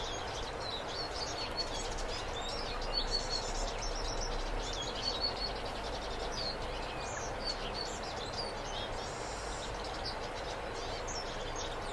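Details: Two European greenfinches, a pair, give rapid high chirps and twitters in irregular bursts through the whole stretch, with a steady hiss of background noise underneath.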